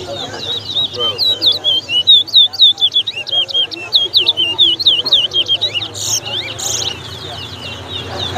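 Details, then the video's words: During a 2022 singing match in Lusignan, Guyana, a towa towa (chestnut-bellied seed finch) delivers a long, rapid stream of piercing whistled notes, about four each second, then fewer notes and a couple of sharp bursts, amid low human voices. "UPRISING TOWA TOWA BIRD SINGING COMPETITION AT LUSIGNAN"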